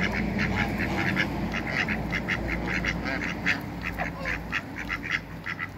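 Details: A pair of Muscovy ducks in a backyard among other waterbirds: rapid, harsh quacking notes, roughly two or three per second, continuing steadily throughout over a constant low hum.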